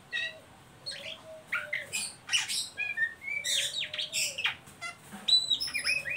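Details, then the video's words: Oriental magpie-robin in ngeriwik style, used to lure and stimulate young birds to sing: a rapid jumble of high whistles, sharp buzzy squawks and short chirps in dense bursts, with brief clean pure notes near the end. "Suara burung Kacer ngeriwik pancingan ampuh buat Kacer bahan"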